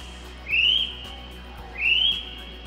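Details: Little spotted kiwi call played from a push-button information panel on a trail at Zealandia ecosanctuary, New Zealand: two shrill, rising whistles about a second apart over a steady high electronic hum.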